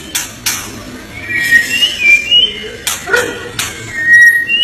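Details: A white-rumped shama (murai batu) from Indonesia sings short, bright, upslurred whistles in scattered phrases, with loud intermittent clicks and knocks between them.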